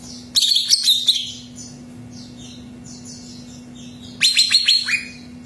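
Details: Greater green leafbird singing to prompt another bird's song: a loud run of rapid high chattering whistles, then softer slurred notes, then a second sharp trilled burst with a descending whistle, over a steady low hum.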